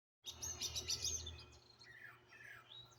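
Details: Several wild birds singing and chirping outdoors in Greenville, South Carolina, recorded on a phone: dense high twittering and warbled notes early on, then slurred rising and falling whistles, over a steady low hum.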